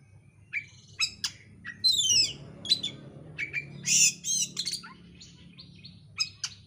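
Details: Lure song of an oriental magpie-robin (kacer) meant to provoke singing: fast, dense mix of sharp chirps, rapid descending buzzy trills and bright whistles, with a low hum in the background.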